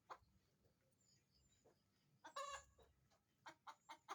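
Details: Chicken heard at a distance over a noisy background: a brief harsh squawk, then several spaced, short clucks.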